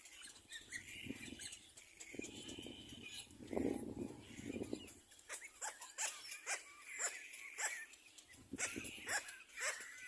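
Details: Little black cormorant; begging calls; chicks competing for food from a parent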